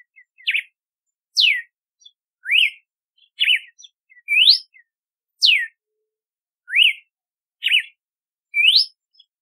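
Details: Red-cowled cardinal, the galo de campina or cardeal do nordeste, singing a clear whistled song of rising and falling slurred notes, each phrase about a second apart, with rising sweeps, falling sweeps and wavering notes alternating, on a silent background.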